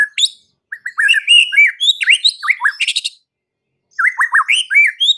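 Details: White-rumped shama (murai batu) song of rapid varied phrases, sweeping whistles, sharp high chips and a harsh burst, broken by a pause of nearly a second before another rich run of notes.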